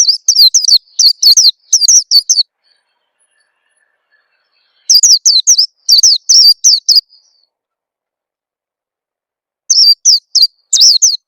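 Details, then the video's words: Oriental white-eye lure call for getting birds to sing: three rapid bursts of high, thin, descending chirps, each several notes long and separated by quiet spells of about two seconds. "suara pikat burung peleci bakalan biyar cepet bunyi"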